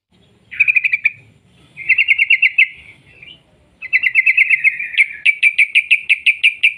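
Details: Sooty-headed bulbul in rolling song meant as a lure to get other bulbuls singing: short buzzy trills, then a longer trill breaking into clear evenly spaced chirps, about eight in a row.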